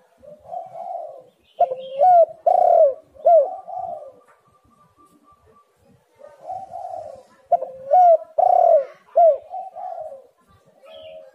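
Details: Spotted dove recorded as a lure to prompt other doves to call. Two series of low, mellow cooing phrases, each with a rolling start and sharper accented coos, separated by a short pause.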